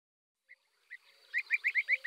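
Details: Eurasian tree sparrow calling: a few sparse, short chirps, then a quick run of about seven clipped chirps at a steady pace, each a brief downward-bending note, with a faint low tone near the end.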